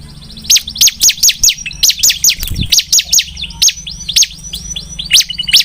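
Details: Bar-winged prinia in full song: a steady, even string of loud high chips, about three each second, sustained through the whole stretch.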